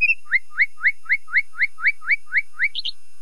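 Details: Common nightingale singing a steady series of about a dozen rising whistled notes, roughly four per second, closing with a brief harsh flourish.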